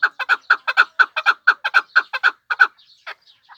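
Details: Crisp, evenly spaced clucking chuk notes from a chukar partridge of the Pamir, roughly twice a second. The series stops abruptly and leaves a few faint, scattered notes.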